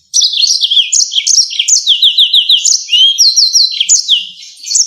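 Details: Yellow-fronted canary singing in the rolling, sharp 'ngerol nembak tajam' style, kept as a tutor recording for songbirds: a fast unbroken stream of high twittering phrases, with runs of four quick downward-slurred whistles and thin buzzy notes, no background noise.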